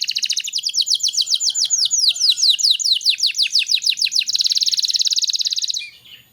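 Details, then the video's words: Canary song meant to make young canaries sing sooner: a long run of fast repeated descending whistles that quickens into a dense, rattling high roll before fading out. "Burung kenari gacor cocok untuk MERANGSANG kenari bahan agar cepat gacor"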